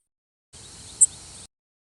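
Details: Worm-eating Warbler (Helmitheros vermivorum) flight call: a single very high, dry, insect-like zip, over in an instant, against a steady high hiss.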